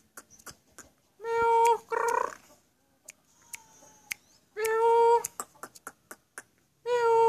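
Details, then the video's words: Black-collared starling giving long, loud, nasal drawn-out notes, then a raspy burst, with further long notes after quiet gaps, among scattered clicks and faint ticking sounds. "KICAUAN MAUT JALAK SURE"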